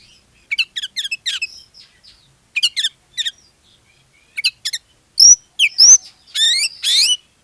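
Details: Oriental magpie-robin singing to lure other kacer into song: softer trilled chirp series at first, then loud sharp whistles, downslurred notes and a harsh grating burst near the end.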